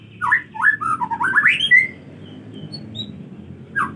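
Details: White-rumped shama, rainy season, not bathing easily: a quick tumbling phrase of slurred rising whistles lasting under two seconds, followed by quiet and one short falling note.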